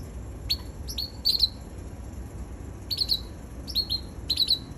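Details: Red canary, a baby bird, singing: short high chirps and quick downward-sliding notes in small clusters, with pauses between bursts over a low background hum.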